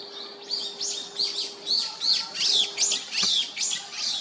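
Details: An adult great spotted woodpecker and its fledgling in Hyochang Park during the chick-rearing period. Rapid high chirps slur downward, about three each second, in a steady insistent series over a faint low hum.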